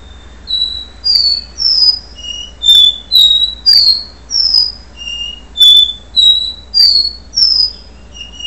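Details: Do-re-mi song of a capuchino seedeater recorded before the moult: a run of about eleven pure whistled notes alternating higher and lower pitches, roughly one note every three-quarters of a second, over quiet background.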